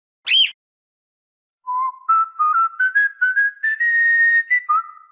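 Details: Cockatiel whistling: a short sharp chirp, then a steady series of clear, pure notes climbing stepwise from low to higher pitch, each note held briefly with small gaps, ending on a dropped note.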